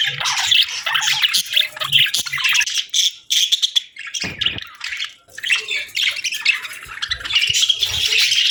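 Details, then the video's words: Budgerigars chirping on a peaceful morning: rapid, buzzy warbling and sharp chirps that come in waves with brief lulls, plus a soft thud midway. "Soothing Budgie Chirping Sounds"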